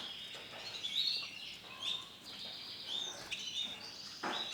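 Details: White-feathered male canary sings soft, high whistled notes and brief rising slurs, with faint background noise.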